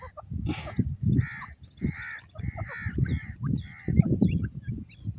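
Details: Iranian partridge with chicks: rough, nasal calls given in a quick series of about six, over loud low thumping and handling noise.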